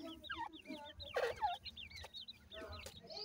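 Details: Grey francolin chicks at feeding time: many thin rising-and-falling cheeps in rapid series, mixed with lower clucking notes and a brief louder burst in the middle.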